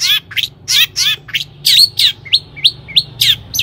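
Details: Long-tailed shrike in energetic song, used as a lure to excite other shrikes into singing: loud harsh, scratchy notes in quick succession, then a series of short sharp rising chips about three per second.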